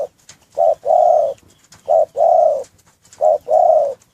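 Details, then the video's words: Caged spotted dove in a breeding enclosure cooing three times, each a short low note then a longer, steady mellow coo, roughly one pair every 1.3 seconds, with faint clicks in the background. "Anggungan burung derkuku"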